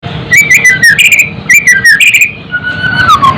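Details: White-rumped shama song meant to raise fighting spirit and emotion in other birds. Loud, rich whistled phrases rising and falling, mixed with sharp high chips, then a long drawn-out falling whistle, over steady low background noise.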